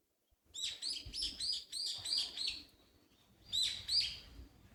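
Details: Small songbird singing along a shaded park path in Nishinokubo Park, Hondo, Amakusa, Kumamoto, Japan, on a hot early-summer day: bright high chirps repeated rapidly in two bursts, with a short pause between them and faint rustling below.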